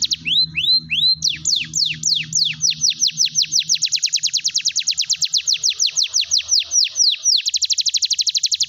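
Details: Singing canary used to coax silent birds into song: a few upslurred whistles, then a long run of downward-sweeping notes that speeds into a dense high rattle, ending in a rapid buzzy trill over a faint low hum.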